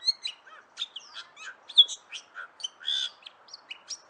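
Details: Bali myna (Leucopsar rothschildi), a protected and increasingly rare Bali bird, sings as a masteran tutor recording: quick bright chirps and short whistled notes, some sliding up or down, delivered in a steady broken stream.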